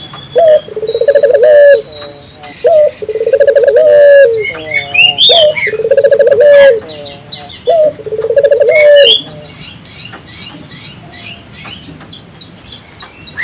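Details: African collared dove calling persistently, used to stimulate local doves to call too; low rolling, trilled coos repeated about every two seconds, each rising then ending in a drawn-out note, with high chirps and twitters of smaller birds above.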